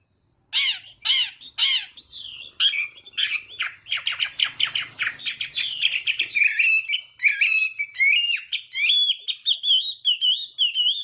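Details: Chinese hwamei in morning voice training to provoke singing, starting with loud spaced chirps, then a dense burst of fast harsh notes flowing into fluid warbling whistles.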